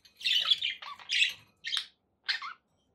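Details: A pet budgerigar gives a few raspy chattering phrases followed by two short separate chirps, each about half a second apart, in a quiet room.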